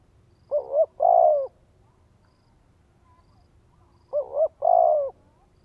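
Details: Spotted dove in Vietnam calling to excite a male: two mellow phrases, each a pair of short coos then a longer drawn croo, separated by about three seconds of quiet.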